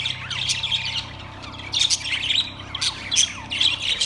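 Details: Caged budgerigars recorded on September 3, 2023: several birds give dense, overlapping high chirps, squeaks and warbling chatter in repeated bursts, loudest around the second and third seconds, over a faint steady low hum.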